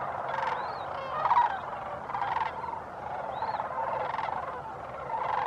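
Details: Sandhill cranes, Socorro County, New Mexico, recorded December 9, 2015: rattling bugle calls from a group, loud pulses around one, two and four seconds, plus a few higher upslurred notes above the chorus.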